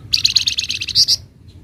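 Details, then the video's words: Flamboyan singing ngebren rapat nyecret: a tight rattling run of about nine quick, high, piercing notes ending with two slightly longer, stronger notes, over a soft low background rumble. "Burung FLAMBOYAN GACOR Ngebren Rapat Full Nyecret"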